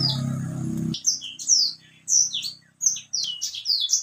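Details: White-rumped seedeater singing vigorously: after a second of low droning background, a run of high, clear whistled notes, some sweeping down and some rising, delivered in quick separate phrases.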